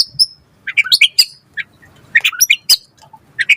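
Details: Lure recording of white-rumped shama song for tutoring other birds: scattered short, bright chirps and sharp high flicks in loose clusters separated by brief silences.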